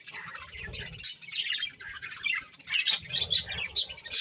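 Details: Pet budgerigars eating corn give dense, scratchy chirps and chatter, high and busy, with short warbled bursts in steady succession and low soft thumps underneath.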